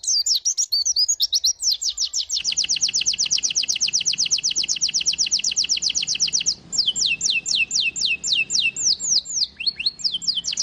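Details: White-eye singing a loud, fast song: high rapid trills of downward-slurred notes repeated about four per second, shifting into slower sweeping whistles, with a brief varied twittering opening.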